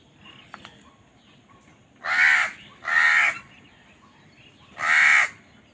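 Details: Crows contend for food, with three loud, coarse, drawn-out caws: two close together, then one more after a two-second gap, over faint background chirps.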